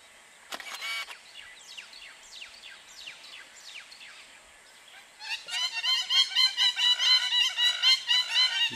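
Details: A hamerkop on the road in Liwonde National Park, Malawi, gives a few thin, falling squeaks, then a loud run of harsh, nasal, rapidly repeated notes, about two per second. A click is heard near the start.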